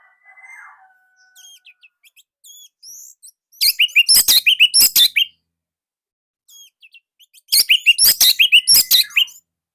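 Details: Unique, tight and loud song of an Indonesian orange-headed thrush: quiet, scattered whistles and hooked notes, then two intense bursts of rapid, high chattering, each lasting about one and a half seconds and separated by silence.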